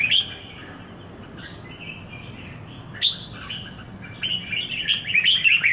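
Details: Caged red-whiskered bulbul in Singapore, one week old in its new home, opens with a bright note, pauses, then breaks into a lively, jumbled warble of chirps and whistles toward the end.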